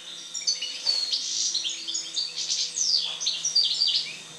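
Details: Goldfinch (European) singing after moult: an unbroken, lively twitter of high chirps, liquid trills and short buzzy notes over a faint steady hum.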